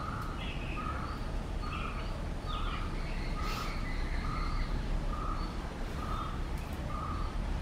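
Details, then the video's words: White-rumped munias at a bird feeder in Kerala; soft, short buzzy notes repeated about every half second in a steady series, with fainter higher chirps and constant low background noise. "White-rumped Munias"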